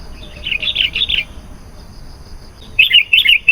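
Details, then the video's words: Sooty-headed bulbul singing vigorously, used to attract wild bulbuls: a quick run of bright, liquid chirping notes, a short pause, then another lively burst of similar rolling phrases over a faint constant high tone. "SUARA BURUNG KUTILANG GACOR"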